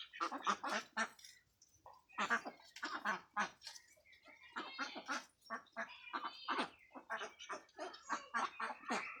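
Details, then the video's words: Khaki Campbell ducks on a duck farm in West Bengal, India, giving harsh, broadband quacks in irregular bursts, several birds calling over one another with short pauses between runs of calls. "Duck Sound"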